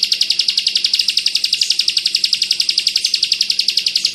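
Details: Bar-winged prinia, 'kristal bren rapat' style tutor recording for pleci birds. Throughout there is a sharp, high, rhythmic trill of quick identical pulses at close to four per second, loud and clean.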